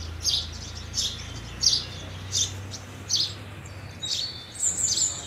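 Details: House sparrow giving short, bright chirps repeated about every three-quarters of a second, with a thin higher whistled note near the end over a steady low hum.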